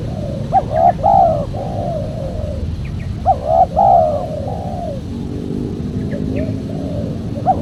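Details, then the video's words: Spotted dove coo phrases for attracting wild doves: two loud groups of quick rising notes leading into a long falling coo, separated by softer hoots, with faint high chirps in the background. "PEMANGGIL BURUNG TEKUKUR SUPER JERNIH"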